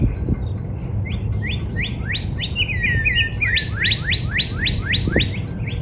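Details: Northern cardinal in a spring backyard: an accelerating run of sharp rising whistled notes, nearly four a second, overlapping a brief tangle of falling slurs and high chips from other birds, over faint low noise.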